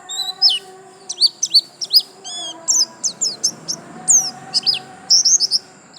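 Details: A pleci white-eye in bright 'gacor lasroll' song: loud, clear, high slurred whistles and chirps in short bursts, several notes looping up then down, over faint steady low tones.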